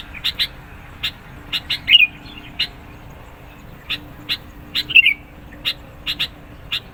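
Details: Sooty-headed bulbul singing insistently to press rivals and lure birds: spaced short high chirps in loose pairs, broken by two brighter, warbling phrases, against a quiet low background.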